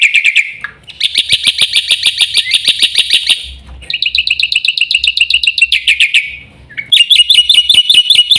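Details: Black-winged myna pouring out long, dense trills of shrill, buzzy, rattling chirps in several bursts separated by short gaps, each note repeated very quickly and evenly.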